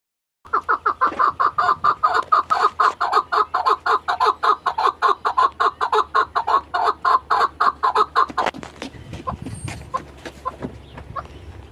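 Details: Chukar partridge calling in a long fast series of loud clucking notes, about two per second, pulsing steadily for eight seconds before breaking into scattered softer notes.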